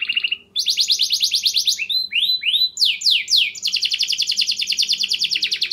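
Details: Canary in full song, used to get stalled canaries singing again: fast buzzy trills broken by swooping whistled slurs, then a long rattling roll, over a faint low hum.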